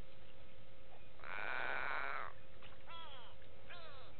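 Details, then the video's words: Go-away birds at Gowrie dam, Djuma Game Reserve, South Africa: a loud, harsh, buzzy noise lasting about a second is followed by two clear, falling nasal calls, with a low rumble throughout. "Go-away birds with audio"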